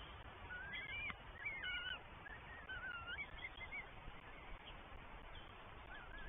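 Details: Northern goshawk chicks at a New Forest nest on 20 May 2023, three chicks fed by their mother then father at breakfast; a few thin, wavering whistled calls early on over a steady low rumble of wind and background noise.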